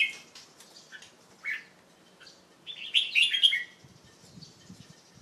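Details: Young male Red-whiskered Bulbul in captivity, late afternoon of 1 January 2012 after bathing; scattered soft chirps, then one loud tumbling whistled phrase, followed by faint rustling.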